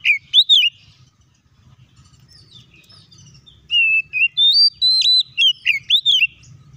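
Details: Oriental magpie-robin song meant to lure other magpie-robins into singing: a few bright whistled notes, a soft pause with faint low hum, then a quick series of ringing, rising and falling whistles.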